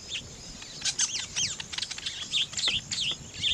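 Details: Weaver birds at nest building give rapid, high twittering chirps, many with looping down-up twists, packed closely over a few seconds with no pauses.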